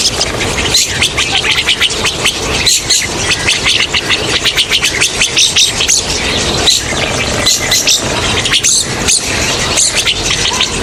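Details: Rosy starling chorus meant as a hunting lure: many birds chatter at once in a continuous, scratchy, high twittering, with clicks and squeals pulsing every second or so and brief quieter gaps.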